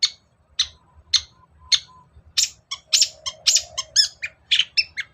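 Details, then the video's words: Long-tailed shrike used as a lure to set a reluctant shrike singing: harsh, scratchy notes repeated about every half second, building into a faster jumble of rasping calls and ringing whistled notes. "Pancingan cendet males bunyi agar nyaut gacor"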